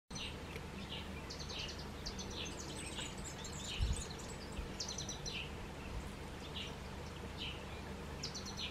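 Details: A green-winged pytilia bathing in a natural rock pool at Mopani camp, Kruger National Park, South Africa, gives thin, high chirps in quick scattered bursts, some seemingly overlapping, over a steady low rumble.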